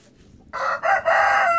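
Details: Garden chickens scratching on a nice spring day; a loud harmonic crow begins after a half-second of quiet, three rough connected syllables rising in strength and still running at the end.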